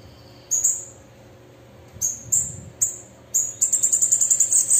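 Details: A few very high, sharp chips from a female bananaquit lead into a fast, buzzy, pulsed high trill of about a dozen notes.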